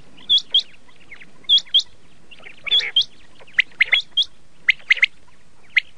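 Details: Common quail of red shade, called laal batir, repeating crisp high upslurred whistles in pairs, mixed with brief rough notes, about fifty phrases a minute.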